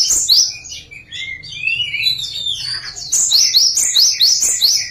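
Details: Java sparrow singing a song variation: a tumbling string of high chirps and lower slurred whistles, then a brisk series of repeated descending bell-like notes about twice per second.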